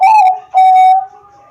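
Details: Perkutut bangkok, a zebra dove from Wiradesa, Pekalongan, Central Java, singing as a lure for other doves; two loud, smooth, sustained cooing notes, the second long and level, fading into quiet room background.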